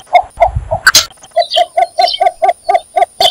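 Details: A cinnamon bittern calls with a quick run of short, low, hollow clucks, about three per second, after a brief thump and noise burst; faint high bird chirps behind.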